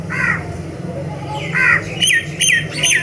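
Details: Myna singing: a few nasal, squawky downslurred notes followed by three bright clicking whistles repeated roughly every half second, over a low steady hum.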